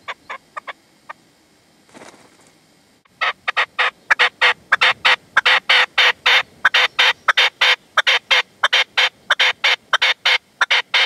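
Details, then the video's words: Partridge and decoy (reclamo) at sunset in the sierra, Manzanares, 27 February 2014, male not approaching; a few scattered notes, a brief rustle, then a loud, fast, steady run of harsh chattering calls, about ninety per minute. "PERDIZ Y RECLAMO"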